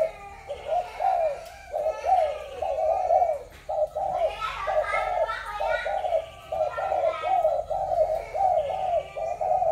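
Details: Spotted doves from Malaysia, Thailand and Cambodia, 21 November 2022: steady series of hollow mid-pitched coos running continuously while children and people talk loudly over them.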